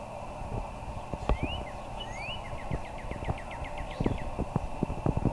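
A cardinal whistles two rising slurred notes, then a quick run of about a dozen short down-slurred whistles, over heavy low wind rumble and thumps.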